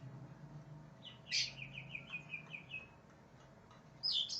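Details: Greater green leafbird singing aggressively, said to be raging and seeking an opponent: a loud sharp note, then a run of about six slurred, descending whistled notes, and another burst near the end, over a steady low hum.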